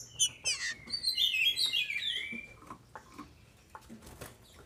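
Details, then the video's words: Green-winged saltator female, captive-bred in Brazil, her song meant to excite males: a dense burst of overlapping whistled slurs for two seconds, followed by scattered clicks and knocks. "FÊMEA DE TRINCA FERRO para ENLOUQUECER seus trincas"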